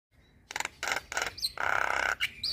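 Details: Javan myna chatter for tutoring young birds: four harsh, grating bursts, the last a longer raspy buzz, with a short whistle at the end.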